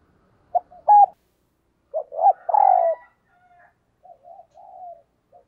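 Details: Caged decoy spotted dove cooing in the 'thúc gù' manner: short staccato notes, then a swelling drawn-out coo, followed by fainter soft trailing coos.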